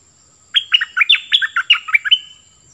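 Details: Decoy cream-vented bulbul pours out a fast, warbling phrase of about ten bubbly notes, each falling and rebounding, delivered energetically in close succession with a thin steady whine in the background.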